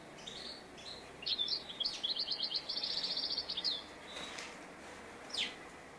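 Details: European goldfinch singing during bird trapping: a fairly faint burst of rapid, liquid high twittering and trilled notes lasting about two seconds, then a single short note, over a steady background hiss.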